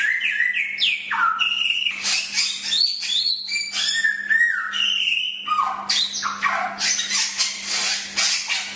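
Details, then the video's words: Training-master song of the Chinese hwamei: energetic, unbroken sequence of whistled glides, stepped phrases and rasping high bursts, richly varied, with a low electrical hum in the background. "Masteran Suara Samyong"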